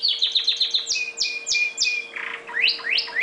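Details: Pet red factor canary delivering a quick trill of falling notes, slower drawn-out sweeps over a held tone, a soft buzzy burst, then rising whistles, with steady background hum.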